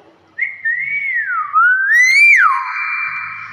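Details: Common hill myna whistling a sweeping phrase: a high note dips low, climbs back to a bright peak, then falls sharply, leaving a long ringing echo.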